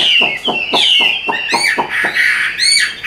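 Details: Caged Hwamei in Vietnam with golden bill and legs, singing loud slurred whistles over a run of short sharp repeated notes about every quarter second.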